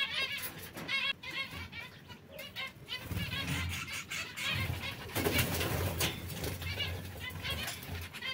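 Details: A group of brown, red and yellow canaries calls busily, with many quick high chirp series overlapping, plus bursts of wing flapping and low rumbling noise.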